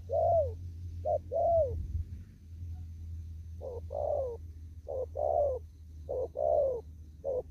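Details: Spotted dove, wild in a field, cooing 'đồng thúc gù' style: two coo pairs, a gap, then four more, each a brief note and a longer falling coo, with low background rumble.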